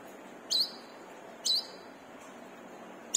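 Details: Lively brown-throated sunbird used as a training lure for caged birds: three shrill, upward-flicking chirps roughly a second apart over low background hiss.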